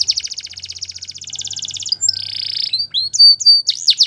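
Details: Belgian canary in training song, a fast rolling trill of evenly repeated notes giving way to a buzzy roll and short clear whistled notes.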